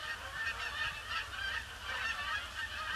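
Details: Large flock of Canada geese circling a pond before landing on a gloomy, grey Boxing Day, 26 December 2015; many overlapping nasal honks blend into a continuous, surging chorus with low rumbling noise beneath.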